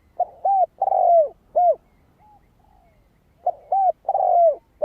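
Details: Spotted dove song used to excite a decoy bird: two busy bursts of hollow coos, short notes around a drawn-out falling one, separated by a pause with a faint softer coo.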